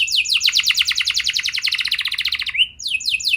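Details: Young canary lure song meant to prompt young canaries to start singing: fast trains of repeated downward-sweeping high notes, then a long rapid buzzy trill, a brief rising whistle, and more swift descending sweeps.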